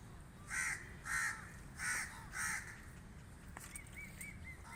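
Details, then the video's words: Four evenly spaced, coarse crow caws about two-thirds of a second apart, then a short series of thin whistled chirps from another bird over a quiet rumbling background. "Crow Calling | Crow Cawing Sound Effect"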